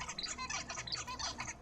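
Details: Adult Zebra Finch song, learned from its father as tutor: a rapid run of nasal, buzzy notes with bright high harmonics, repeated in short motifs over about a second and a half.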